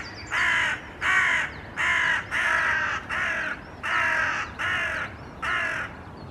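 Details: A few Hooded Crows perching in a tree in Helsinki, Finland, in April 2024, slightly agitated: a steady run of eight rasping, hoarse caws, each about half a second long and spaced roughly a second apart, with faint chirps between them.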